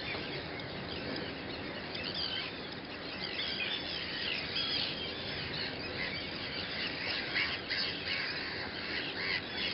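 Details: Sandwich terns in a dense colony on Griend, 26 May 2013, chorus harsh, grating squawks overlapping almost constantly, with a steady hiss of wind or surf underneath.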